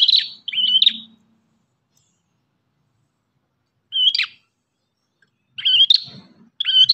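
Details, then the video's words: Energetic ashy tailorbird song with short bursts of high, buzzy whistled phrases separated by long silent gaps, the final phrases doubled and sharp. "MASTERAN BURUNG PRENJAK KEPALA MERAH"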